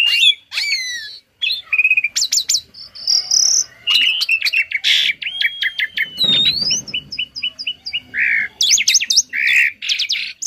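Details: Asian pied starling, a tame bird whose varied, phrase-filled song serves as a model for training other songbirds; fast sequence of sliding whistles, harsh buzzes, clicks and repeated chips, nearly continuous throughout.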